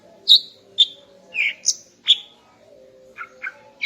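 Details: Female greater green leafbird in the morning, singing to arouse the male: several separate bright whistled notes, one lower and fuller, then a quieter pair of double-pitched chips, with a faint background hum.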